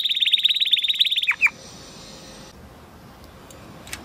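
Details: Spanish Timbrado canary from 2020 breeding singing a training song: a rapid, even trill of high chirping notes, then two quick downslurred notes and near silence with a faint steady hum.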